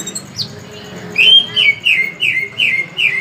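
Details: A tame, brown-breasted sunbird, known locally as kolibri ninja, sings busily. After one thin high note comes a string of six bright, downward-sliding chirps, roughly three per second, against a faint low hum.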